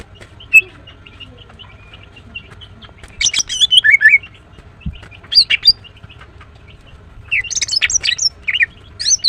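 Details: Female greater green leafbird chirping: soft, quick twitters lead into loud bursts of jumbled, bright, descending whistles, then a final run of sharp rapid chirps.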